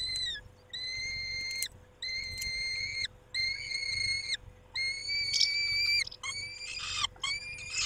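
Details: Peregrine falcons at their nest, the male attending the females, 23 May 2021 at 19:40; a rhythmic series of six or seven sustained harmonic wails about a second apart, the later ones harsher, over a faint electrical hum.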